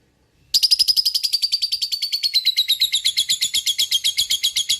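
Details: Single fighter lovebird starting its long ngekek chatter after half a second of quiet: a dense, buzzy rattle of high notes that gradually drops in pitch while keeping a fast, even beat.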